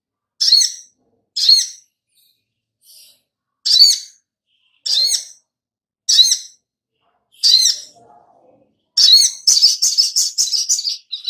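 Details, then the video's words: Little spiderhunter (sogok ontong) used as a lure to make birds sing: steady sharp high notes about every 1.2 seconds, then a rapid, rattling string of notes at the end. "Pancingan SOGOK ONTONG Biar NYAUT GACOR || Pancingan Sogon biar Bunyi"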